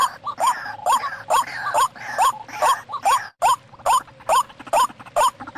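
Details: White-breasted waterhen lure call used to attract wild birds: harsh, grunting croaks, each with a brief rising twang, repeated steadily about twice a second.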